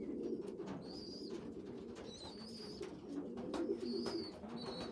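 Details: Pigeon youngsters, a poorly developed one feeding larger siblings; busy low cooing murmur throughout with several thin high squeaky peeps repeated about once a second.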